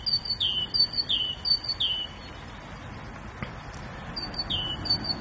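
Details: Bulbul, grey form, giving a series of high whistled phrases, each a thin note followed by a falling, level whistle, three in quick succession, a pause, then two more.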